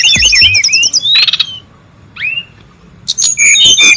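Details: Brown-chested jungle flycatcher calling noisily in the wild: quick high whistled notes and rising slurs, a buzzy burst, a pause, then a thin upslurred whistle before dense high chattering resumes.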